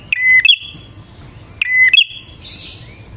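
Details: Bar-winged prinia song used to lure wild prinias: two loud phrases, each a sharp click, a flat high whistle, then a bright trill sliding into a sustained higher buzzy tone. A faint low hum runs underneath.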